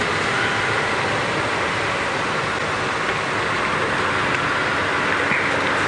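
Steady broadband engine and road noise from a safari vehicle driving at sunset, with no animal calls heard.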